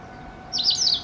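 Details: White wagtail calling in its territory in November, a territory growing busier with young birds: a short burst of two sharp, high chirping notes following one another quickly, over a steady low background hum.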